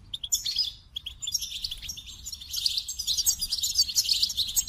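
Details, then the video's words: Goldfinch beginning with crisp single chirps, then flowing into a sustained, busy outpouring of high, sparkling twitters and buzzes. "The Captivating Call of Goldfinches"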